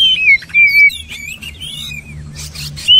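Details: Oriental magpie-robin song of clear drawn-out whistles sliding downward, broken by quick twittering notes and a few brief rough bursts, ending on a loud steady whistle.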